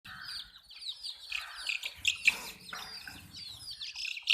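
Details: Desi domestic chicks drinking water, a flock peeping together: many high, thin downward-sliding cheeps overlap in bursts, with a few sharper louder peeps near the end and faint low rustling beneath.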